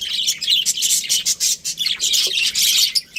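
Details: A breeding pair of Australian budgies giving fast, rasping chirps and chatter, notes tumbling over one another with only tiny gaps.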